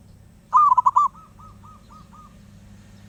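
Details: Wild zebra dove singing without pause: a quick run of loud stuttering coos followed by a trail of softer, evenly spaced cooing notes, with a faint low hum behind.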